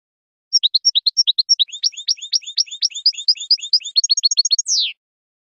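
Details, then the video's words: European goldfinch song recorded for teaching juveniles to sing: a fast, bright twittering run of high, short, tinkling notes, some paired, rushing into a dense trill and ending in a buzzy downward slur. "European Goldfinch Song for Teaching"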